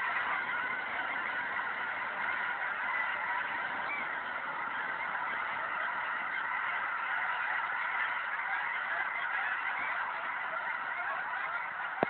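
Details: Huge gathering of geese, thousands strong, along Lower River Road in Washington, captured by phone: an unbroken wall of loud, overlapping honking that stays steady throughout, with no other clear sounds.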